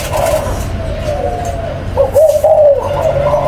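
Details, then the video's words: Spotted dove from a breeding parent pair, birds numbered 11 and 04, giving soft, low hollow coos, a long drawn note then a brighter wavering phrase near the end, over a steady low hum. "MỜI CÁC CỤ THẨM ÂM ĐÔI CHIM CU BỐ MẸ SỐ 11 VÀ 04"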